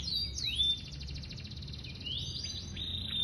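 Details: Yorkshire canary from Indonesia singing high, clear whistles: sweeping slurred notes and a buzzy trill that flows into long rising and falling phrases over a low steady hum.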